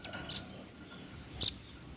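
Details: Male red-billed nuthatch calling companions with two brief, doubled high chips about a second apart, quiet between them.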